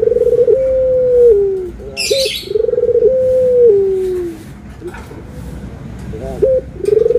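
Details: Dove cooing during a comparison of white and brown doves: a long, low coo that falls at the end, a short two-part coo, then another long falling coo. A brief flutter or rustle is heard between them.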